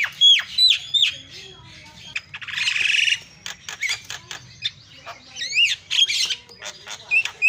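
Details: Javan myna (jalak kebo) in master filler song (isian) for training other birds: sharp down-slurred whistles, a drawn-out harsh rasping squawk, scattered clicks, then more looping whistled notes.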